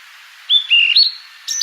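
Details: ['Fork-tailed sunbird, called sulingan or tledekan, in a lure recording. A few high, thin whistled notes step up and down in quick succession, then a short higher burst of two sharp notes.']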